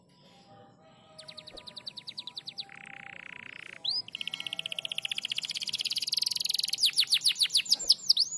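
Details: Canary song used as training audio to get silent canaries singing again: quiet start, then rapid high trills, a buzzy rolled passage, and dense fast repeated notes growing louder toward the end.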